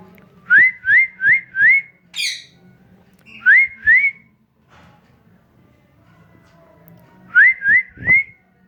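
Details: Rose-ringed parakeet, a green parrot, giving quick rising whistled notes in runs of four, then two, then three, with a short harsh burst after the first run and faint room background.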